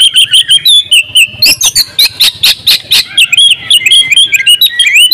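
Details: A champion oriental magpie-robin sings in the ngobra style packed with fill phrases. Rhythmic whistled notes are repeated steadily, broken by loud sharp clicks and chips, then a varied twittering warble.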